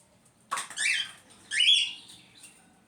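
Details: Cockatiel making noise: two harsh, scratchy screeching calls, the second with a rising whistled edge, in an otherwise quiet room.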